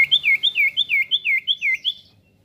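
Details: Golden-bellied gerygone in energetic rolling song, played to provoke other birds into singing: a fast, steady run of about eight looping whistled notes, each dipping then rising, fading away at the end.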